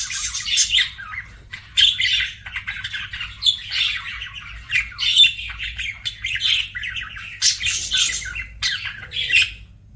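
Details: Budgies chattering continuously: sharp high chirps, buzzy squawks and rapid twittering runs in uneven bursts, with a constant low hum behind them.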